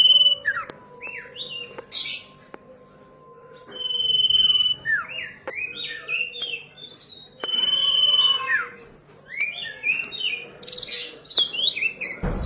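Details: Young ashy drongo mimicking the song of a common iora: varied whistled phrases, rising and falling slurred notes and short chirps in quick, irregular runs, with a few sustained steady whistles and a faint low hum behind.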